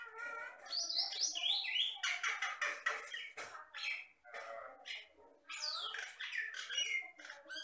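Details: Lively Jalak Batam myna singing: dense bursts of harsh, scratchy notes mixed with high rising and falling whistles, rapid chattering runs broken by short pauses.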